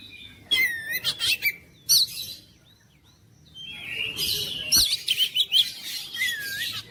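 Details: Oriental magpie-robin song: a fast chattering run of scratchy notes, a pause with faint soft whistles, then a renewed rush of buzzy and warbled phrases ending in looping whistles.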